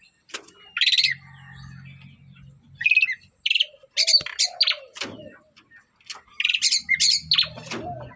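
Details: Javan myna in full song: bursts of harsh, high chirping notes alternating with lower slurred whistles and clicks, phrases separated by short pauses, against a steady low droning hum.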